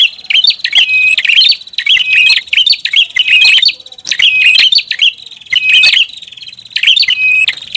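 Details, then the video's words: Noisy prinia lure sound: a run of roughly seven busy chattering bursts of sharp, high tweets, coming about once a second with brief pauses between them, clean background. "SUARA PIKAT BURUNG PRINJAK ATAS RIBUT"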